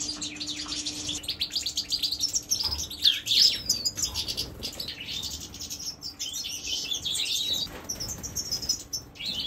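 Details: Siberian or major goldfinch, a kept bird, singing: a rapid, busy jumble of high twittering notes, tinkling trills and short liquid phrases, with a steady low hum and a faint high whine behind.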